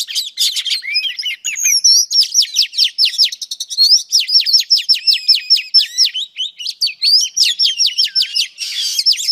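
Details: A female Oriental magpie-robin sings, a recording used to stimulate males: a rapid, varied, nearly continuous stream of sweet high whistles and sharp chattering notes.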